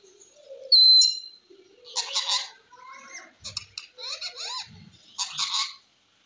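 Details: A green ringneck (rose-ringed) parakeet talking, chattering in bursts of harsh, speech-like syllables mixed with a bright whistled note over roughly six seconds; no other sounds stand out.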